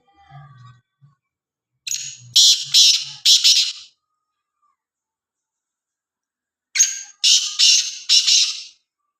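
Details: Black francolin from Khushab calling twice: each phrase is a run of four or five coarse, rasping notes, loud and grating, separated by several seconds of silence, with a few soft low clucks at the start.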